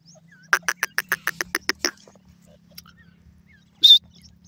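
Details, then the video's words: Teetar (francolin) call: a quick run of about nine clicking, pulsed notes lasting under two seconds, then silence and a single high, thin squeak; faint hum in the background. "teetar awaz,partridge sound"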